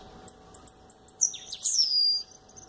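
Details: A male Blue-black grassquit sings while fluttering and facing the camera: a few thin, high ticks, then a buzzy, sliding, descending phrase lasting about a second, over a faint steady hum.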